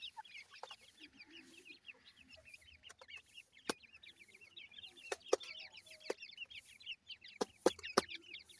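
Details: Several grey francolin chicks feeding, giving a steady stream of tiny, high, rapid peeps that overlap into a twittering chorus, punctuated by occasional loud clicks from pecking or handling.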